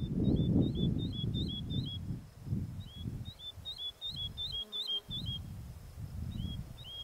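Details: Woodlark (Lullula arborea) song: high, liquid, slightly falling notes in quick runs of three to six, with short pauses between runs, over heavy low wind rumble.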